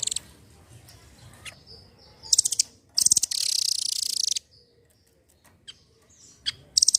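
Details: Velvet-fronted nuthatch song played to coax other birds into singing: short, very high chattering bursts and a long, dense, shrill trill lasting over a second, separated by quiet gaps.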